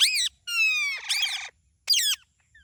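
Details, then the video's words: Talking parrot uttering a quick run of harsh, harmonic syllables: a short arched squawk, a long gently falling drawn-out tone merging into a buzzy, voice-like stretch, then a final rising-falling squawk, all close with silence between. "Talking Parrot Natural Sound"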